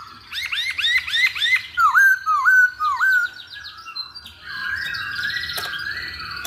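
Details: Chinese hwamei lure song: a fast burst of arched whistled notes, then three separate downward-hooked whistles, fading into a softer warbling passage with background noise.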